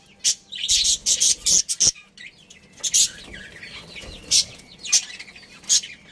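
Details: Budgerigar breeding pair kept as a family, giving bursts of high, harsh chirps and squawks in short clusters separated by brief pauses.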